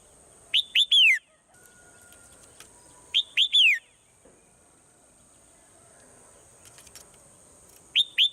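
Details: Swallow's morning song: groups of three loud whistles falling in pitch, the final one drawn out, repeated about every three seconds, with faint chirps in the background.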